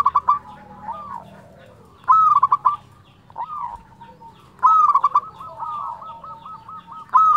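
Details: Local zebra dove in full song with a fluted voice, meant to provoke and excite other doves; several loud stuttering coo phrases, each followed by rolling trills, amid quieter cooing from neighbouring birds.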